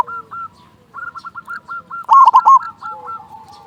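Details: Zebra dove of local stock with a big voice, used to make other doves sing: a quick run of light repeated notes leads into one loud rolling coo burst, followed by softer trailing notes.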